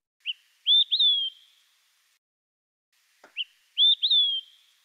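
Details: Olive-sided Flycatcher, a species at risk in Newfoundland, sings twice: a short clipped high note, then two loud whistled notes, the last slurring downward, like 'quick three beers'. The song carries over long distances. A faint click falls between phrases.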